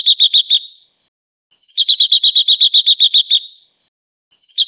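A silver-eared mesia sings quick bursts of bright, rapidly repeated notes, a short run of five and then a longer run of about a dozen, with brief pauses between.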